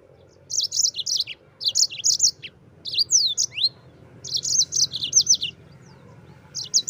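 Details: Yellow-fronted canary singing a continuous rolling 'ngerol' song, recorded as tutor audio for training white-eyes. High, sharp chirped notes come in rapid bursts of four to six, with short gaps between phrases and a faint low hum beneath.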